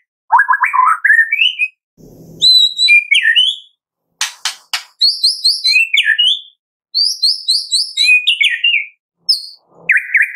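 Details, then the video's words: Lively white-rumped shama in the kretekan style, a lure for making shamas sing: a rich string of varied whistled phrases, rising slurs, high sweet notes and a few sharp clicking bursts, separated by short gaps. "PANCINGAN JAHAT KRETEKAN MURAI BATU GACOR 100% AMPUH buat Pancingan murai batu pastol agar bunyi"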